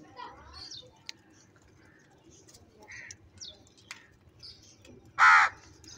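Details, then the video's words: Sparrow-like chirps and squeaks fill most of the passage, then a crow fighting for food breaks in with one loud, harsh caw near the end. "Different kauwa ki awaz - Crow bird live Crowing sounds | Crow bird Fight for Foods"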